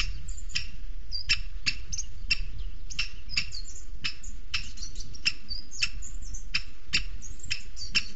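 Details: A Booted Eagle chick at its nest in Sierra de Guadarrama National Park, Spain, on a webcam as the female brings a weasel and feeds it, gives sharp, thin, high chips, two or three a second, over a low wind rumble.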